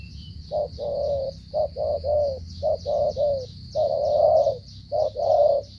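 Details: Stuttering 'gù cà lăm' cooing of a spotted dove from Cà Mau, Vietnam: broken runs of short low coos in doubles and triples, ending in a longer swelling coo, over steady high background hiss.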